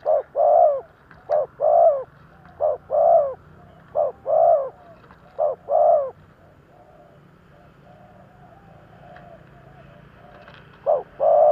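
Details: Thúc gù cooing of a decoy spotted dove used to lure wild doves: six quick short-long coo pairs, then several seconds of only soft background hiss before the cooing resumes.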